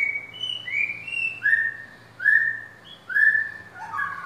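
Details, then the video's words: Caged white-rumped shama for sale, delivering a chain of clear whistled notes that step downward, each slurring lower, then ending in tumbling lower phrases. "murai Batu balak"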